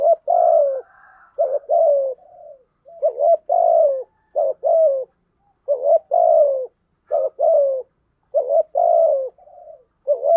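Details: Decoy spotted dove giving the urging coo used to lure wild doves: low, mellow coos in short clustered phrases, each phrase a quick double note then a longer falling coo, repeated about every one to two seconds with brief pauses.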